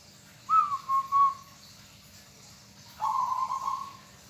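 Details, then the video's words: Three-beat stuttering coo from a local zebra dove, followed after a gap by a longer even, burry trill. "bunyi perkutut sangat menyenangkan hati bagi yg hobi burung perkutut lokal"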